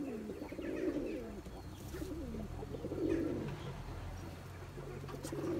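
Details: Turkish tumbler pigeon (Taklacı) cooing while chasing its mate to breed for eggs and chicks: deep, rolling coos rising and falling, in three swelling bursts about two seconds apart, over a low steady hum.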